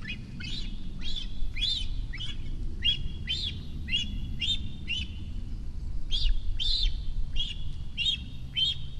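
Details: A month-old flier, a cinereous vulture chick, sits in the nest near Rascafría in Sierra de Guadarrama National Park and begs for food as a parent nears. It gives quick series of shrill, arched chirps with a brief pause midway, over a low rumble.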